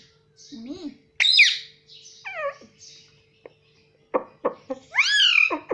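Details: Pet talking parrot that says mummy and papa, giving scattered short calls: a low warble, loud rising-falling screechy notes and clipped sharp syllables separated by brief silences.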